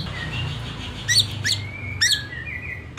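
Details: White-rumped shama in the afternoon, used as a lure to make other shamas sing more and louder: sharp, bright chirps in short bursts with a thin sustained whistle, over a steady low rumble.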